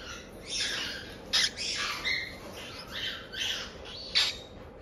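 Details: Cockatiel babies about a month old in Tokachi, Hokkaido, calling 'jaa-jaa' as chicks do. Scratchy, breathy squawks repeat roughly every second, with brief sharper clicks between them.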